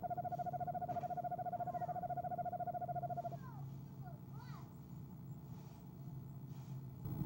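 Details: Female eastern screech owl at a nest box on an owl camera, trilling in the evening of 25 January 2015 before leaving the box around 6 pm: a steady, even monotone trill held for over three seconds, then stopping, over constant low hum.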